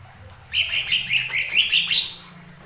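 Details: Lesser green leafbird singing as a lure to make other birds sing: a fast, rippling chain of high whistled notes lasting about one and a half seconds, ending in a rising upward flick.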